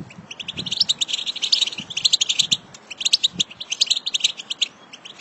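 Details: A female European goldfinch gives a fast, high, tinkling twitter in rapid bursts, with brief pauses between phrases and faint low thumps underneath.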